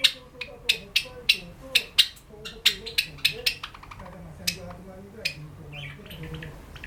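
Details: Singing cherry-colored Java sparrow kept as a pet, early in its song: crisp ticking notes, first spaced, then quickening into a rapid rattle before fading, with soft music playing underneath.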